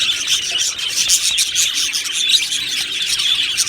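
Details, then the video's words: Many happy budgerigars in a colony aviary chattering at once, an even wash of bright tweets, clicks and warbled notes with no pauses. "Budgie Sounds for lonely Budgies | Happy Budgies Birds Sounds | birds Chirping Sounds"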